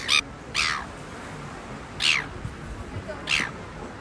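A gull gives four short, harsh, hoarse squawks at uneven intervals, with a faint steady hiss between them.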